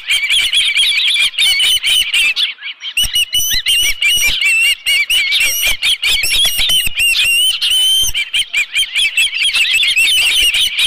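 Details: Osprey calling at the Dunrovin Ranch nest as a live fish arrives, 11 July 2018 around 12:41 PM: persistent shrill whistled chirps, rapid and ragged, with a short silence near the start.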